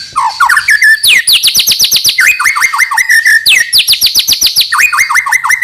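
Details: Song of a white-rumped shama, used to encourage young birds to sing; rapid rhythmic trills of descending notes alternating with lower rising whistles, continuous and loud.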